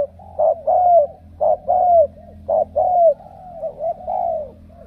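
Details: Ca Mau spotted dove selected for powerful cooing. Repeated pairs of a brief note and a drawn-out downslurred coo about once a second, ending in softer notes, with a steady low hum.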